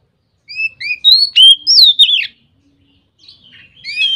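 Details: Oriental magpie-robin singing a ngeplong phrase, said to spur other magpie-robins to sing: a loud run of rising whistles ending in a falling slur, then softer, more distant whistling near the end.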